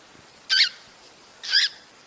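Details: Cockatiel call from a recording meant to induce mating: two strident, buzzy screeches about one second apart, each lasting a fraction of a second, with steady hiss between them.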